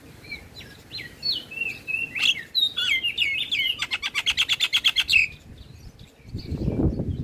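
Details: Black-winged starling song used as training audio for other birds: whistled slurs building into a fast rattling trill of clicking notes, followed by a burst of rustling noise.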